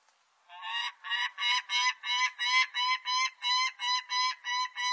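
A Peregrine Falcon gives a harsh, grating kak-kak-kak, about three notes each second.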